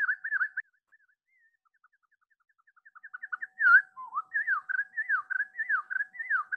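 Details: Pacific Wren song played slowed down, from a species with a diverse repertoire: looping whistled notes swooping up and down, a pause with faint scattered notes, then a quickening run of short notes leading into more swooping whistles.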